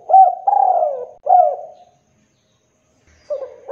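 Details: Tekukur, the spotted dove, calling as a lure to make rivals respond: soft hollow coos, one long and sliding downward between shorter notes, followed by a pause and another phrase starting.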